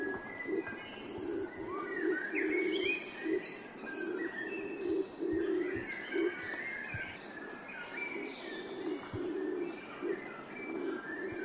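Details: Several pigeons cooing together in a continuous, throbbing low murmur of pulsing notes, with scattered chirps and whistles of small birds above.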